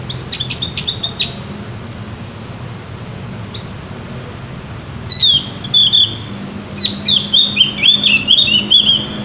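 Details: Javan grey-throated white-eye in loud, open song: a few faint high notes at first, then in the second half a run of clear, sweeping whistled phrases repeated quickly, over a steady low hum.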